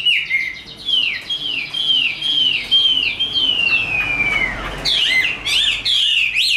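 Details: Chinese hwamei, tame and caged, in fighting song: a regular series of downslurred whistles about every half second, a long descending note, then rapid arched phrases.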